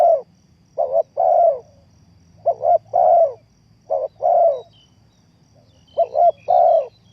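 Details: Lure call of a spotted dove for trapping: several steady, mellow coo phrases, each two quick notes then a drawn-out coo, spaced about a second apart in a quiet setting.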